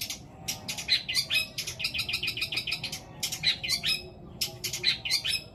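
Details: Long-tailed shrike delivering its long fill-laden song with sparrow, petir and kuntilanak elements, meant to coax silent shrikes into singing: dense volleys of harsh, scratchy chirps rattled in quick clusters, pausing briefly between bursts, over faint low hum.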